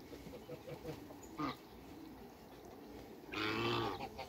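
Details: A single loud, raspy honk from a backyard flock of Toulouse geese, two males and one female, comes near the end after a quiet stretch with a brief faint note.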